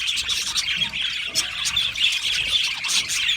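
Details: Aviary flock of Australian budgies chattering, a short stretch of thick high-pitched chirping and rasping squawks from several birds at once.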